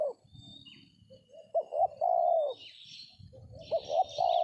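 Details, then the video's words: Spotted Dove (tekukur) heard while trapping with a decoy among oil palms; two low coo phrases, short double notes leading into a long steady coo, while higher chattering calls of other birds sound above. "DAPET TARGET TEKUKUR TERBAIK, SUARA KOMPLIT"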